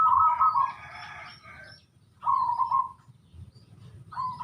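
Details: Local wild-type zebra dove in its 'sungsung' song style: mid-pitched cooing phrases, a rougher first phrase then a smooth drawn-out coo, pauses between, with faint higher chirps of other birds and low background rumble.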